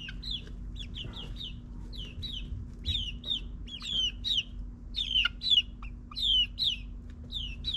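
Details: Chicks in their ninth week kept in a suburban backyard, peeping busily: many high, descending whistled notes, often doubled, coming almost a second apart and growing louder toward the end, over a constant low hum.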